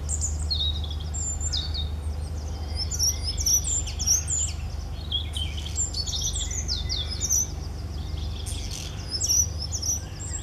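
A European robin sings high, thin, tinkling phrases of quick whistles and trills, varied and run together, over a steady low rumble.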